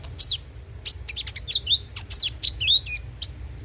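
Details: Konin, or ruby-cheeked sunbird, singing as a lure recording meant to prompt regular singing: piercing high chips and fast twittered phrases with a couple of slurred whistles, notes spaced irregularly, over a faint low hum.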